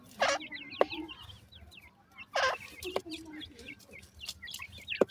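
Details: Grey francolin chicks peep in short high rising notes, broken by two loud harsh bursts and sharp knocks roughly every two seconds.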